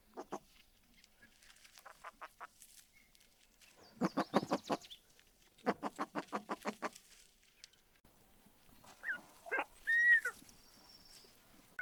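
Gunnison Sage-Grouse giving bursts of rapid, hollow popping pulses, six to eight in quick series, ending with a brief high squeaky whistle.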